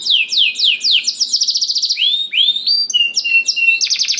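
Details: Singing canary, played as a lure so other canaries join in and sing: fast falling trilled phrases, then clear rising whistles and slurred notes alternating with rapid buzzy rolls.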